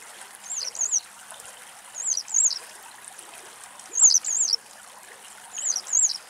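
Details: A Barn swallow (Hirundo rustica rustica) in Greece, sunbathing on warm ground in the midday sun, gives high, twittering paired notes, two quick chirps per burst, repeated about every one and a half seconds over a soft, steady hiss.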